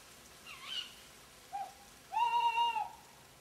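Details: Tawny owl (Strix aluco), call.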